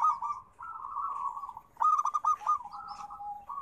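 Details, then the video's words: Zebra dove (perkutut) song: a rolling purr, then a burst of rapid clipped coos and a falling, wavering trill, repeated without long breaks. "Suara Terapi Perkutut"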